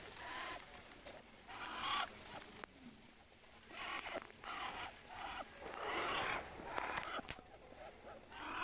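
A Muscovy duck hisses in breathy, airy bursts, one about every second, with a few soft clicks between them.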